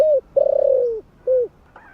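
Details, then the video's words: Close, loud spotted dove coo in the morning: a brief low hoot, a long quavering note sliding gently downward, and a short final hoot, with a faint higher chirp at the end. "Cu gáy GÁY GỌI buổi sáng giọng ấm cực hay kích bổi nhanh nổi"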